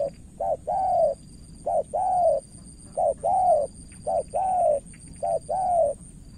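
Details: Cooing of a spotted dove decoy in Cà Mau, Vietnam, answering a wary rival: five regular phrases of a brief note followed by a longer falling coo, about one per second, steady high whine in background.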